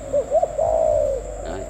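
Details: Spotted dove, a captive bird, singing one 'gù tít' style phrase: two brief upslurred notes leading into a long, smooth coo that fades, with a faint hum behind.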